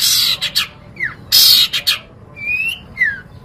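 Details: Long-tailed shrike singing on a tutor recording for caged songbirds: loud harsh rasping bursts alternate with smooth whistled slurs, one rising and one falling.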